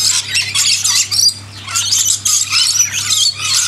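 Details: Lorikeets being hand-fed in a backyard, a continuous mass of harsh, high screeching and squealing from several birds at once, with a low steady hum beneath.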